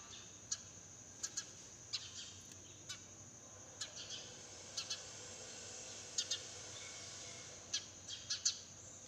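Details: Sparrow chirping in a garden in the early morning, with crows, pigeons and other birds nearby; short, sharp chirps scattered irregularly, some in quick pairs, over a steady high-pitched hum.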